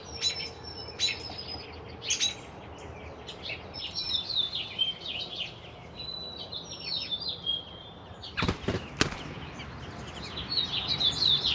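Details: Four American robin chicks in a nest, three aged two to three days and one a little older, beg while mother and father feed them in turns: thin, high peeping notes, scattered and overlapping, with a couple of sharp knocks.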